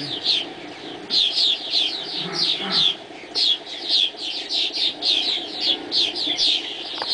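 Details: Dawn chorus of swallows in flight: a steady stream of bright, high chirps overlapping in quick clusters, rising and falling in loudness.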